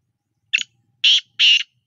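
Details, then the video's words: Black francolin (kala teetar) gives a harsh, grating call: one brief note, then two longer rasping notes about half a second apart, with nothing else heard. "kala teetar ki awaz"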